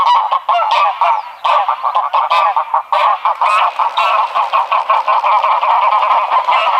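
Greylag geese honk in a loud, continuous chorus of nasal, overlapping calls, several per second, with no other sounds heard.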